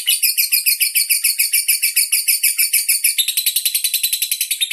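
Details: Andong lovebird kept in captivity in Bandar Lampung, Indonesia, performing a long-duration song display: rapid shrill chirps pulsing steadily, shifting near the end into a slightly higher, tighter chatter.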